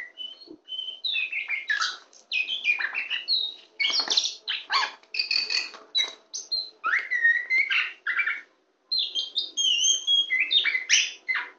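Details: Oriental magpie-robin of the kacer poci type, a tame champion bird, sings loudly from a hand: continuous varied phrases of bright whistles, trills and harsh chips in rapid succession.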